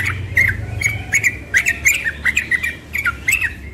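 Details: A young yellow-vented bulbul sings rapid ropel song in the morning, rollicking gurgled notes repeated in fast succession over a faint low hum.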